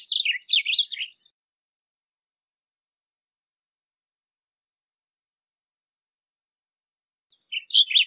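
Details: Two brief bursts of Blue grosbeak warbling, each about a second of rapid up-and-down slurred notes, separated by a long stretch of silence.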